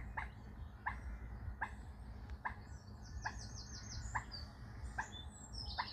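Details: Waterbird on British canal and river waterways, heard from a boat: short sharp clipped calls repeated about every 0.8 seconds, with a higher thin trilled series from another bird and a low steady rumble underneath.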